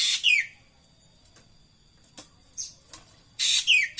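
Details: Racket-tailed treepie: a harsh, buzzy, downslurred pair of notes, a few soft faint notes in the pause, then another rasping pair, with a thin steady high tone in the background.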